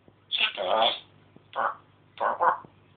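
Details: Pet African grey parrot indoors, talking and mimicking speech and the phone: three speech-like utterances, a longer phrase followed by two short syllable groups, with a faint low hum in the room.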